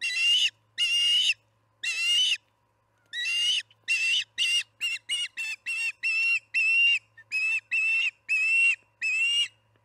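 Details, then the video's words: At the Charlo osprey nest on a July 9, 2019 evening feeding, 6pm: drawn-out, strained whistled cries, some half a second long, then a tumbling series of shorter squealing notes of varying length. "Evening feeding, 7/9/19 - Charlo osprey nest"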